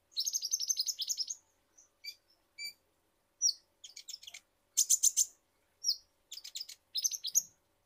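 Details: Kolibri ninja, an Indonesian sunbird used as a lure to spur caged birds into song, giving fast trains of piercing high chirps and short sweet whistles in repeated bursts with brief pauses between.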